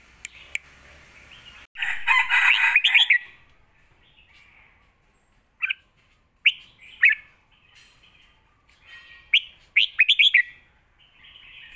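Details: Caged red-whiskered bulbul giving a fierce lak wai style song with full master phrases, kept to teach young birds: loud bursts of bubbling, warbled notes separated by quieter gaps, with clusters of quick chirps near the end.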